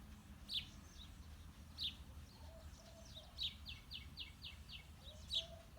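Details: House sparrows, male and female, giving loud single chirps spaced about one to two seconds apart, with a quick run of seven short, evenly repeated notes in the middle; faint low background rumble.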